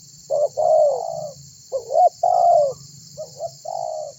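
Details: A spotted dove calls to make other birds answer: short doubled notes, then a long mellow coo falling at the end, repeated three times, with a constant faint hiss high above.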